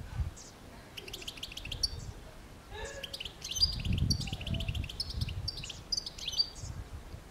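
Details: European goldfinch (Carduelis carduelis) song of quick, jangling high twitters and short trills delivered in several bursts, accompanied by a low rumbling background noise.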